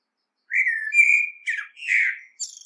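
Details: Common blackbird song phrase of rich, sustained fluted whistles, with one slurred note falling away, followed by a burst of scratchy twitter and a thin high squeaky ending.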